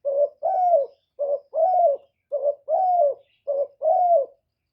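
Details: Lure spotted dove's call meant to stimulate and attract doves, cleanly recorded: four phrases of a clipped coo then a longer, arching coo, evenly spaced.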